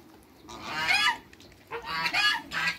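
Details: Three African geese, two males and one female, kept in a backyard with other waterbirds, give loud harsh honks: one long blaring call near the start, then two shorter honks after a pause.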